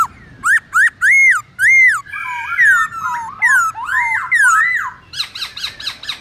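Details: Loud arched whistles, four in a row, open this Black-throated laughingthrush wild song used to teach young birds, then a tumbling sequence of descending slurred notes and fainter chatter.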